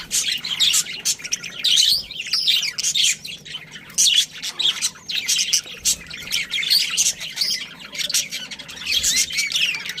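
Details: Many pet budgerigars in a colony with a breeding pair, warbling and chirping in uneven clusters of short high notes, mixed with scratchy squawks.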